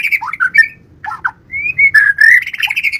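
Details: White-rumped shama with a busy, varied song: warbled whistles, a pair of brief dropping notes, a clear rising whistle, then dense, rich chattering phrases.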